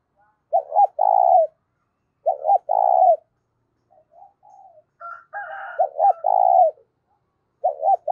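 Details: Loud, clear spotted dove cooing meant for rousing decoy birds: repeated low phrases, each two quick notes then a drawn-out coo, about every two to three seconds, with brief softer higher calls from another bird midway.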